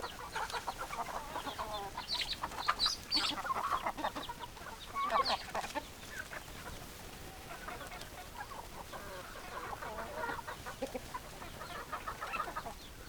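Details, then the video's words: Hens and roosters together, a dense run of overlapping clucks and cackles rising and falling in bursts, fairly loud throughout. "Chicken Sounds Noises Hens Clucking Roosters Crowing"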